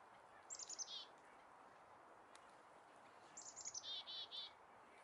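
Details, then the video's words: Small birds calling in a snow-covered Canadian forest during falling winter snow: two short bursts of thin, high descending chirps, the second longer with about eight notes, over a soft steady hiss. "Birds Singing in the Falling Snow"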